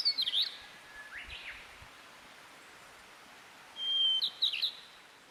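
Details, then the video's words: Wild niltava singing actively: a high, thin whistled phrase of sliding notes at the start, then a pause and a second brighter phrase of a long level whistle followed by quick descending notes, over steady faint background hiss. "burung niltava gacor liar"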